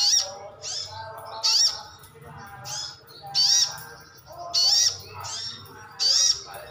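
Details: Pet sogon ngalas, brown-throated sunbird, calling to get other birds responding: quieter and louder high sharp chirps alternate, roughly one each second, with a low hum behind.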